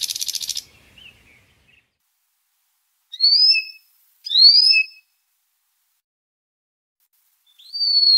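Canary song: a short buzzy rattle, then high, clear whistled notes that rise and fall, spaced a second or more apart.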